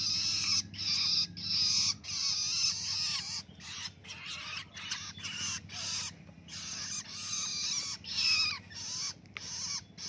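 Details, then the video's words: Young long-tailed shrike, now independent and kept by hand, practising its ngelolo song: a run of harsh, raspy, hissing bursts, roughly one or two a second, unevenly spaced, with a short hushing voice at the start. "ANAKAN PENTET SUDAH MANDIRI ‼️ BELAJAR NGELOLO"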